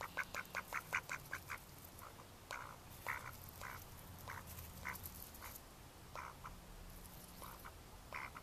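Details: Mallard ducks, May 2014: a quick string of short quacks that slows into scattered longer nasal quacks, some close together in pairs, against a constant low rumble.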